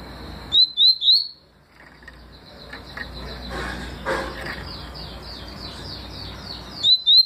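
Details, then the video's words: Papa-capim seedeater giving tui song, 2020: three quick rising whistles at the start, faint distant twittering in the middle, and two more upslurred notes closing the passage over a low background murmur. "Papa capim tui detonado em 2020"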